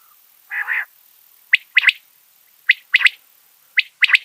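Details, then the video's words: Big quail calling at night inside a home: one harsh, buzzy burst, then three clipped phrases about a second apart, each a sharp note followed by a quick double note. The background is otherwise silent. "Big Batair ki Awaz / Amazing Batair ki song / بڑے بٹیر کی آواز گھر میں / New Batair Voice in night"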